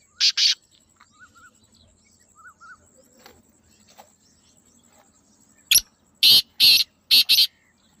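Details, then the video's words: A black francolin gives two rasping notes, faint small whistles follow during a quiet gap, then it delivers a rhythmic run of five loud grating calls. "کالے تیتر کی آواز | Black Francolin Beautiful Call"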